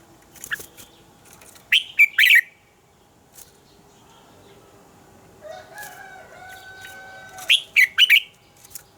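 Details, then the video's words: Red-whiskered bulbul giving morning song used to train other birds: two short bursts of bright, warbled notes, each under a second, separated by a long pause, with a drawn-out rooster crow in the background. "Luyện giọng cho chào mào hót sáng - Hót hay nhanh lửa, chào mào hót âm kép già rừng hay tuyệt!"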